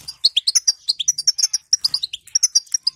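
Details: Short burst of the female goldfinch 'batbata', meant to stir a silent goldfinch to sing: rapid, sweet, high twittering notes, some sliding upward, in a quick run with a tiny pause midway.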